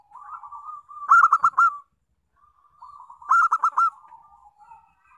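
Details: Zebra dove of a local strain, played as a lure so other doves sing: two loud bursts of four to five sharp, ringing notes about two seconds apart, each led and followed by softer purring trills.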